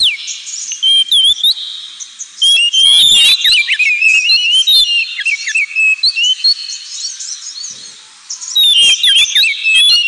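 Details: Kacer, Oriental magpie-robin, in ngemplong song for pet-bird therapy: long, varied whistled phrases with rapid notes and slurs, a brief lull near eight seconds, then more whistling.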